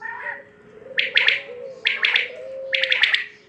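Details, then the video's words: Three bright, clipped triple-note phrases from a quail, spaced just under a second apart, over a constant droning hum and low gliding whistle tones. "Batair k Awaz"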